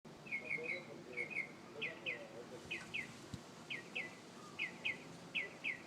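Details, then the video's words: Morning bird song near a home, a series of paired sharp chirps repeated about twice per second, each pair slightly downslurred, with faint low background noise. "Amazing Bird sings 25 different sounds"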